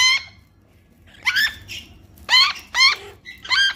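Eclectus parrot chicks give harsh, harmonic squawks with a wavering pitch, about five short bursts in under four seconds, in a quiet room.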